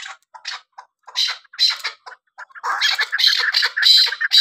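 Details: Chukar calling: scratchy clucking chuk notes, sparse at first, then speeding into a rapid, insistent run of harsh repeated notes.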